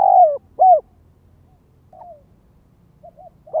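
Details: Spotted dove serving as a ground lure, calling in the gáy gọi, thúc and kích bổi styles: a long falling coo and a short coo, then a pause with soft distant coos before another loud note begins.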